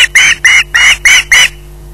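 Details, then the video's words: Close, loud squawks from an osprey waiting for food at RSPB Loch Garten: six drawn-out, harsh calls with short gaps, then silence. "pottering between squawks waiting for food"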